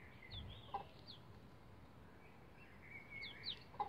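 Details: Bantam Rhode Island Red chicks around 11 days of age using a chicken ladder: a few sliding high peeps and drawn-out trills at the start and end, with quiet gaps between.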